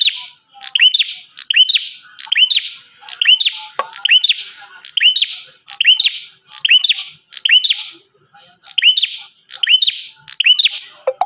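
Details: Energetic bar-winged prinia call for luring other prinias: a steady series of about a dozen similar phrases over eleven seconds, each a high chip followed by a buzzy descending note, nearly one per second.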